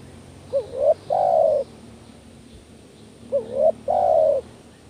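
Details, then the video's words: Spotted dove calling, a recording used to lure other doves: two phrases, each a quick hooked upward coo, a tiny pause, then a longer falling croo, repeated about every two and a half seconds against a quiet background. "panggilan tekukur males bunyi kuk 1 tekukur anda jadi kepanasan"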